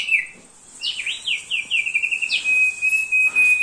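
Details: Thick-billed heleia singing vigorously, a recording meant as a training master: a short slurred whistle, then a run of descending downslurred notes that speeds into a rapid twitter, ending on a long steady high tone.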